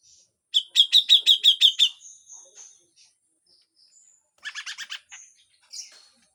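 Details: Grey-cheeked bulbul, harsh full song with besetan: a burst of seven rapid, loud, sharp notes, faint high whistles, then a second shorter rattle of about six notes and a final squeak.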